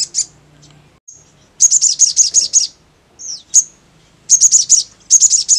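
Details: Crimson sunbird delivering the ngleper song: several tight bursts of five or six sharp, very high chips, separated by brief pauses and a few lone notes.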